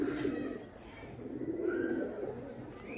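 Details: Indian pigeons, kagzi kabootar, playing about: soft low cooing in two drawn-out bursts near the start and the middle, with faint higher chirps from other birds and outdoor background hiss.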